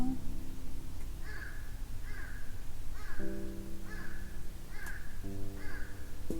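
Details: A large crow, one of many calling that day in chilly post-summer weather, gives harsh, slightly nasal caws about one a second outside. The caws play over soft sustained music during a book reading.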